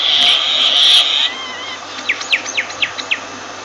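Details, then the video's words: A myna gives a harsh, rasping burst, then a quick run of six or seven sharp, downslurred chirps at about four per second. "Myna Bird sound Voice"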